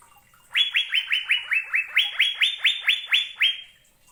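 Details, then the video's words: Asian fairy-bluebird song made of a steady string of about fourteen clear, liquid upslurred whistles, evenly spaced at roughly four per second, then silence. "Burung Cucak Biru"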